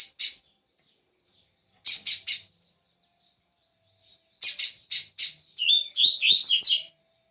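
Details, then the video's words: Caged double-collared seedeater (coleiro) singing on the perch in tournament style: bursts of harsh, buzzy notes in groups of two to three, ending in a quick run of high whistled, warbling phrases. "Coleiro Sem Juízo cantando no prego"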